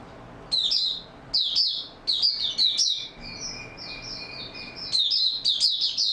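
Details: Oriental white-eye singing in stable form, 28 February 2022, caged: clusters of piercing, high chirps in quick succession, then a run of softer, thin twittered notes before louder bursts resume.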